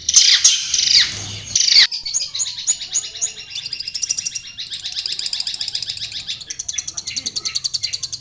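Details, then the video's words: Loud shrill squeaks open this natural-habitat song of the long-tailed shrike, followed by steady rapid ticking chatter and high trilled runs that gather pace toward the end. "SUARA BURUNG CENDET DI HABITAT ASLINYA"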